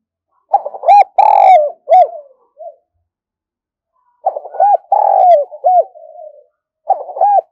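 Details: Vigorous decoy spotted dove calling to lure wild doves: repeated bursts of husky coos, short clipped notes leading into a drawn-out wavering coo, then trailing quieter notes and a pause before the next phrase.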